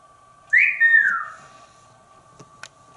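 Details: Pet African grey parrot indoors in a family room in Texas, playing on a tree perch and chatting with its owner; one clear whistled note sliding up then gliding down, lasting about a second, over a steady background hum.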